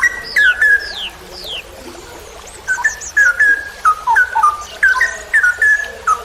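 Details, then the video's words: Straw-headed bulbul song in a training recording for songbird keepers, in the long rapid 'ropel panjang' style: slurred whistled notes rising and falling, repeated in quick bursts, with thin high descending whistles from another bird early on. "MASTERAN cucak rowo Berkelas||ROPEL PANJANG"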